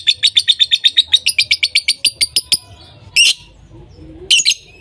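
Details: Lovebirds calling non-stop: a fast run of about twenty sharp, high chirps, evenly spaced and speeding up slightly, then a pause and two louder harsh screechy bursts.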